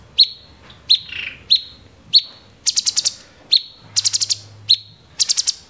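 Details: Cucak cungkok, the grey-cheeked bulbul, in 'tembakan' singing. A string of evenly spaced sharp chips, one followed by a short buzz, gives way to quick bursts of four to five high, hammering notes.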